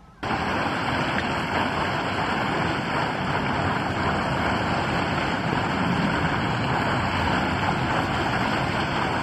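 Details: Steady roar of strong wind buffeting the microphone, mixed with surf and a low engine-like rumble, with no animal calls heard.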